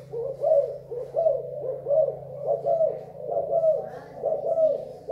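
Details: Spotted dove from Thailand, recorded 24 February 2019, calling in a run of soft, rounded cooing notes, about one each second, over a low steady hum.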